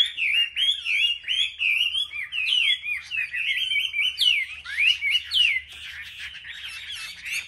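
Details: Chinese hwamei from a rack of selected caged birds at a market, singing competitively: rapid, melodious whistled runs with sharp upward sweeps, then softer twittering toward the end.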